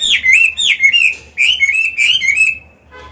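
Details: Caged Chinese hwamei, old wild-caught singer used to train other birds; rich fast warbled whistles in two loud phrases, fading away at the end.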